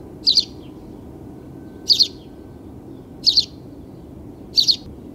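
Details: Sparrow chirping: short bright double chirps, each two quick notes close together, repeated roughly every one and a half seconds over a steady low background hum.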